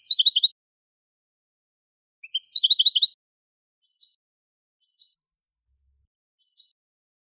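A goldfinch x linnet hybrid gives short, high twittering phrases of quick repeated notes, then brief sharp chirps about a second apart, in a quiet setting.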